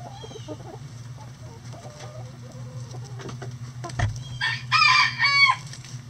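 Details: Chickens in a coop on a sunny day: quiet clucks and a thud, then two loud harmonic squawking calls near the end over a steady low hum.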